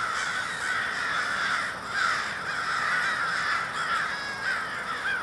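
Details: Crows gathered in a big flock in Minneapolis, Minnesota, in February 2020, producing a steady wall of raspy overlapping caws, with individual calls rising and falling within the din.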